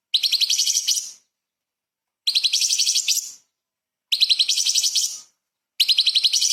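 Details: Light-vented bulbul in full rapid-fire 'tembakan' song, used as a training recording for magpie-robins: four dense, buzzy trilled bursts about one second long, spaced roughly two seconds apart, with silence between.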